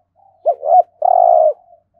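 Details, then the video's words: Spotted dove giving a 'thúc gù' urging coo, used in daily training of decoy birds: a short wavering double note, then one long, steady, rolling coo, all in a mid-low pitch band, over silence. "Tiếng chim cu gáy thúc gù cực đỉnh/ chim cu gáy tập mồi luyện bổi hót theo hàng ngày"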